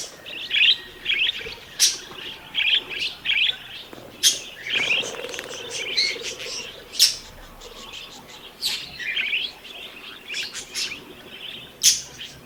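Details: Budgerigars (Melopsittacus undulatus) chatter in a busy stream of high chirps, warbles and sharp squeaky notes.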